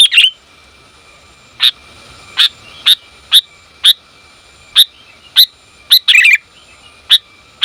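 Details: Female sooty-headed bulbul calling the male: mostly single sharp, high chip notes spaced irregularly about every half second to a second, with one brief chattering burst near the end.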